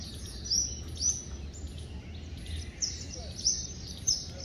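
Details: Pair of red-vented bulbuls courting on a palm tree in the morning, Pune, Maharashtra, India, September: sharp, high chirping notes in loose bursts about every half second to second, over a steady low rumble.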